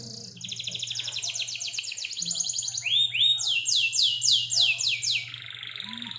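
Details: Local Indonesian canary singing a champion-style tutor song with long 'nembak panjang' shots and rolling 'ngerol' variations: rapid high trills, then sweeping buzzy descending notes repeated several times a second, over a faint low hum.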